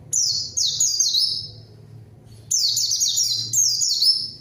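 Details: Strongly singing white-eye meant to provoke and answer a rival bird: high, thin whistled phrases of quick downslurred notes in two bursts, with a one-second pause between.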